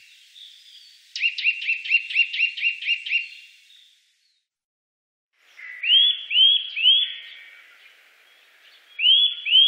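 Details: Eurasian nuthatch from the Wittlich valley, 2018: a fast, even trill of about ten sharp notes, a pause, then ringing upslurred whistles repeated about every half second.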